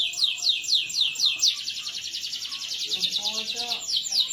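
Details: Canary song used to prompt other canaries to sing: fast rolling trill of repeated high buzzy sweeps that runs unbroken, with some faint lower chirps near the end.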